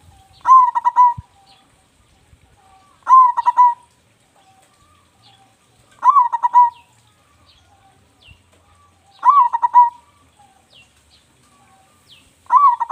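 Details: Local zebra dove singing vigorously with a big voice, kept as a lure bird: a mellow rising coo runs into quick stuttering notes and a drawn-out final coo, the phrase repeated about every three seconds, with faint clicks between.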